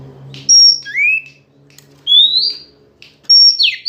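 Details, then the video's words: Female Oriental magpie-robin calling to provoke males. Short whistled pieces: a high steady note, a low rising slur, a long upslurred whistle and the start of a buzzy descending series, over a steady low hum. "Suara Kacer Betina Gacor Memancing Kacer Jantan Jadi Emosi"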